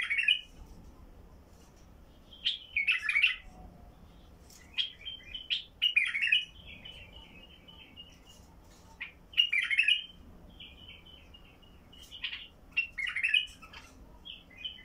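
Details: Basra bulbul with a heavy-throated singing style, singing to get silent bulbuls to start: bright warbled phrases of quick, slurred notes in bursts every few seconds, with short quiet gaps between phrases.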